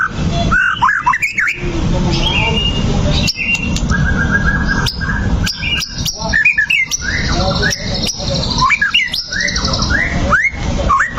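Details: White-rumped shama (murai batu) singing as a fighting lure: a long, richly varied song of whistles, slurs, rapid trills and harsh chatters, alternating nonstop over a constant low rumble.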